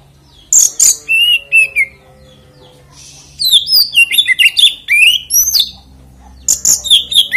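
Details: Oriental magpie-robin lure song to spur other kacer into song; repeated phrases of crisp chips and sliding whistles, a brief buzzy note midway, then a longer burst of varied fluty notes.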